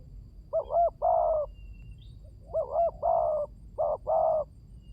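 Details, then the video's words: ['Spotted dove lure call: repeated phrases of a quick double coo and a longer mellow note, three phrases in five seconds over a quiet background.'] "Pancingan burung tekukur"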